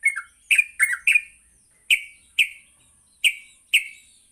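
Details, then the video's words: Yellow-vented bulbul morning recording for training other bulbuls: a cluster of sharp chirps, then single bright, downward-slurred notes spaced roughly half a second to a second apart. "Pancingan Pagi burung trucuk Gacor sangat cocok untuk melatih trucuk belajar bunyi dan ngropel"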